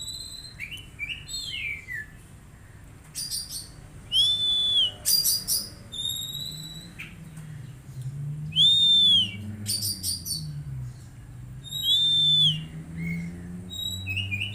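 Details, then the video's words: Magpie-robin singing, used as daily therapy so an untrained bird starts singing: repeated loud arched whistles about every four seconds, each flanked by buzzy chattering notes and short chirps, over low rumbling background. "Terapi Kacer Bahan Agar Cepat Bunyi"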